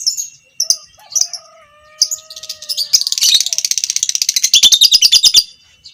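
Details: Fighter lovebird long ngekek used as masteran to train other lovebirds: a few sharp chips and a low held whistle, then an accelerating rapid chatter of dense harsh notes lasting nearly three seconds.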